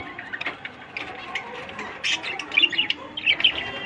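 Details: Budgerigars in a breeding colony of about 100 pairs, a dense chorus of many overlapping chirps and warbling twitters, rising in intensity toward the end, with some wing flutters.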